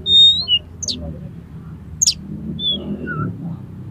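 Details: Oriental magpie-robin singing aggressively while highly aroused, to provoke other magpie-robins; a loud sustained high whistle, short dropping notes, sharp high chips and a lower slurred whistle over faint background rumble.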